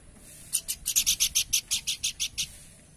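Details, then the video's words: Horsfield's babbler delivering a rapid series of about twelve rasping, buzzy notes at an even pace, over constant low background hum. "Burung Planduk Semak Gacor"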